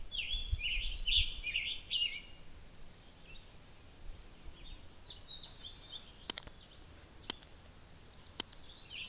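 A Tennessee Warbler sings rapid, very high staccato chips in quick series that speed up, with a few sharp clicks and low background rumble.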